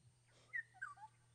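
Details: Oriole on a morning safari drive, 16 May 2016, just after sunrise, shortly after catching a caterpillar: a brief run of liquid, fluty whistles stepping down in pitch, over a steady low engine-like hum.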